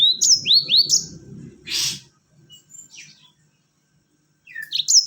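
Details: Yellow-fronted canary song serving as a lure for other birds: a few quick rising whistled notes over a low rumble, a harsh rushing burst, then silence before another short whistled phrase.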